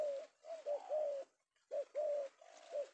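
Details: Captured male spotted dove, an Indonesian bird sought by lure keepers, coos in two short phrases of mellow, even notes separated by a brief pause.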